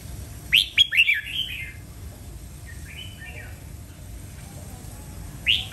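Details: Loud red-whiskered bulbul song: a rapid phrase of sharp bouncing whistled notes, a softer warble in the middle, and the start of another phrase at the end, over faint hum.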